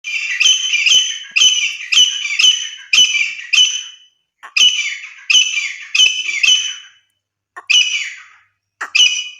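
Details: Wild female grey francolin, known locally as deshi titar, calling as used for hunting; loud harsh ringing notes delivered in rapid runs of three to five, separated by short pauses, with no other sounds.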